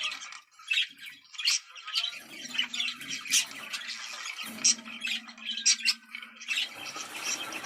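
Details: Budgerigar chatter meant to excite birds into breeding: rapid chirping and scratchy squeaks with occasional bright whistled notes, over a soft steady low hum in the second half.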